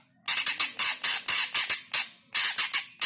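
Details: Greater green leafbird sounds played to provoke pet birds into singing: a rapid series of loud, harsh, rasping squawks in close bursts, a short pause, then more grating notes, with no other sounds.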